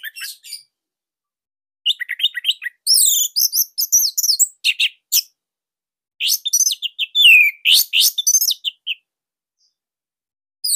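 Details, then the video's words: Orange-headed thrush of the Bali type singing a loud, tight master song meant to coax young spotted birds into singing: bursts of high twittering and slurred whistles in phrases about two seconds long, separated by pauses. "Kicauan Joss ANIS MERAH Pancingan Masternya Para JUARA"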